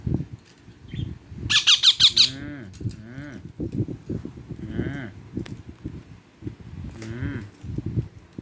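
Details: A young rose-ringed parakeet, about two months old, calls very loudly to a different-species companion, a male budgerigar. It gives a quick burst of harsh, shrill screeches, then scattered squawks, over a person talking close by.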